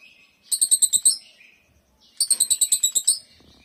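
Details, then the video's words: Exotic-style lovebird of the Mastersn line in ngekek chatter: two clipped bursts of rapid, high, rattling buzzy chirps about a second each, separated by a pause of about a second, in quiet surroundings. "suara love bird mastersn gaya exotic"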